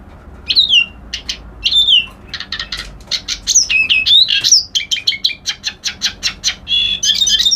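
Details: Song of a reed warbler, a lively jumble of short ticking notes, swooping whistled slurs and churring phrases that run almost without a break.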